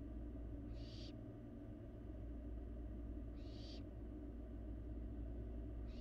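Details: Fledgling barn owl feeding in an empty nest box, Florida live camera: three scratchy, noisy hisses recur about every two and a half seconds, the last cut short, over a persistent low hum.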